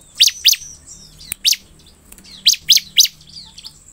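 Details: Bar-winged prinia (Prinia familiaris), song.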